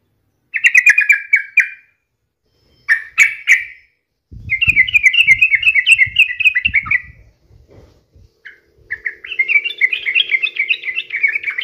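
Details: Sooty-headed bulbul, played to encourage other birds to sing, gives chattering warbled phrases in several bursts, with a faint low rumble and a soft steady hum beneath the later phrases.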